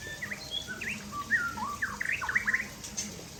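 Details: Aceh white-rumped shama sunning itself and singing a quick run of clear, slurred whistles, rising and dipping, quickening into a busy flourish at the end.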